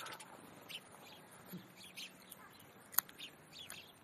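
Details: House sparrows, a wild band at the zoo window in Leipzig, Germany, in a city setting: scattered short chirps and tweets from several birds over a low background hum.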